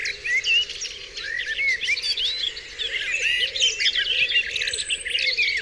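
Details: Morning birdsong on Dewlands Common at dawn, with looping whistles and bursts of high chatter from many birds, and gentle lower arched notes repeating beneath.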